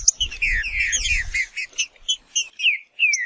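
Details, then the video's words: Green-winged saltator (Saltator similis) singing: a burst of dense, overlapping chirps gives way to a series of clear, loud, downslurred whistled notes spaced about half a second apart, with low rumbling noise early on. "Seu Trinca Ferro vai pegar fogo em 15 minutos"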